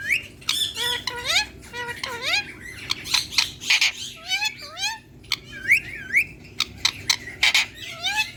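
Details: Hand-tame green Indian ringneck parakeet talking to a mirror: rapid run of harmonic, sliding, speech-like syllables that rise and fall, mixed with harsh scratchy bursts and brief pauses throughout.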